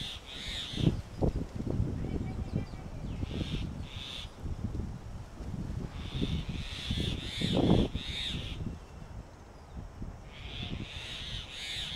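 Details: At a Delhi nest hole in summer, a male Grey Hornbill shakes his head to regurgitate a lizard for the nesting female. Shrill squealing bursts mix with loud, low knocking and thumping sounds.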